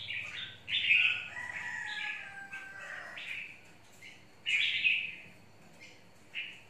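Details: Red-whiskered bulbul, mộc type, in a long cage and described as very fierce; a loud warbled phrase opening, a lower trailing note, then two more bright, ringing bursts with pauses between.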